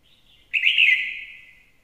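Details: Red-whiskered bulbul: a soft short note, then one strong, bright warbled phrase sliding down and fading out over about a second, clean with no other sounds.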